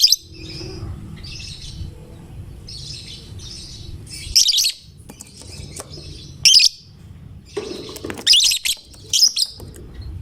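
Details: Lovebird of the fighter type, in constant song meant to provoke other lovebirds to sing; shrill, rapid twittering bursts, softer at first, then loud clusters near the end, over a steady low hum.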